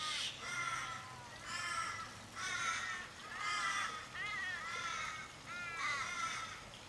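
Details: A flock of over fifteen Australian ravens circling a dying member in a Sydney street, Kellyville, 1 July 2012. Somewhat distant drawn-out nasal caws with drooping ends, repeated in groups roughly every second, with a faint low hum.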